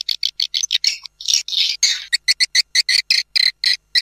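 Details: Swiftlet caller sound meant to draw birds to a nesting house, made of short, sharp high chirps repeated in quick, uneven pulses, with a few longer buzzy notes near the middle.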